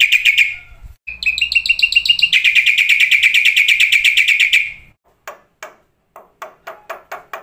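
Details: Black-winged starling training song for cage starlings: a loud whistled note, then a long fast buzzy trill for about four seconds, followed by spaced short sharp chips.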